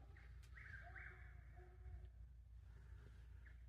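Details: At night in the Ocala National Forest, a Chuck-will's-widow calls back and forth with another across the road, all night long. It gives faint whistled phrases with notes sliding in pitch, over a steady low rumble.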